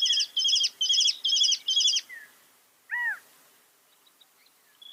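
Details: Northern mockingbird, a mimic of some 200 sounds, repeats one high chattering phrase five times in quick succession, pauses, then gives a single lower slurred whistle, all for a masteran recording.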